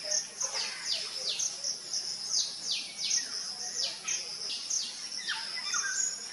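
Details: Near-fledging Common Myna young calling from a hole in an old coconut tree in coastal Odisha as a parent feeds them: repeated steep descending squeaky notes every half second or so, with a continuous shrill insect drone behind.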